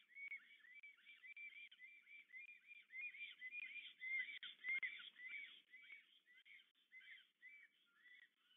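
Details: Black stork male and female greeting and courting at their nest, Łódź area, Poland, evening of 8 April 2022; a quiet stream of short whistled, arching notes about twice a second, briefly louder midway with a soft rustle.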